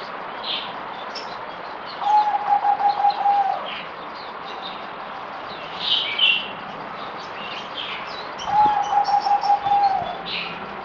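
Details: Merbok or zebra dove, a kept songbird on its fourth day of deworming treatment, 17 April 2020, gives two quick stuttering coo phrases about six seconds apart, each rolling on one steady pitch; brief high chirps from other birds between.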